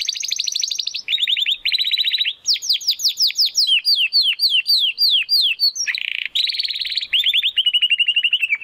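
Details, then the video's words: Spanish Timbrado canary, a young bird still finding its full song, delivers a continuous chain of rapid trills and rolls, each tour shifting pitch, with buzzy downward-sweeping notes in the middle and a steady metallic trill to close. "Canary Song - Spanish Timbrado Classico"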